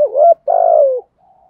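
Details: Spotted dove in 'giọng thổ' voice, cooing to stir up rival males. A single low phrase: a short rising coo, a brief pause, then a long, vibrating, gently falling note.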